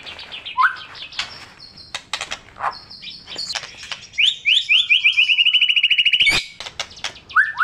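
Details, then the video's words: Richly mimicking white-rumped shama song used to provoke silent shamas: a scratchy chattering start, then a long rapid series of short rising whistled notes repeated several times a second, ending with a sharp snap. "Murai Batu Macet Auto Bangor MATERI // Dengan Suara Murai Batu Gacor Isian MEWAH"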